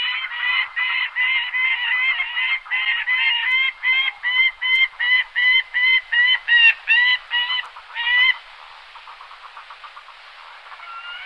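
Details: Gyrfalcon (Falco rusticolus) giving a fast run of harsh, strongly harmonic notes, about two or three per second for eight seconds, then a softer, quicker stutter of faint notes with a rising tone at the end.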